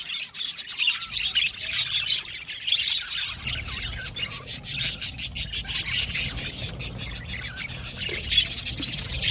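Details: Many Australian budgies in a colony aviary chirp and warble together, sharp rapid ticking notes layered over a constant bright chatter, slightly quieter at the start.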